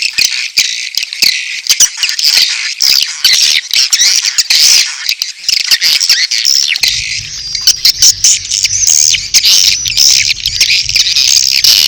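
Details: Edible-nest swiftlet mating calls together with chick calls, heard as a continuous high, shrill twittering chatter broken by quick clicks, with a low steady hum joining in for the second half.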